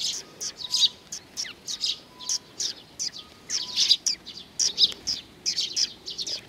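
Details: Several Eurasian tree sparrows coming to be fed at Mizukami Bridge, 4 June 2020; sharp high chirps in irregular clusters, some doubled, over a faint humming tone.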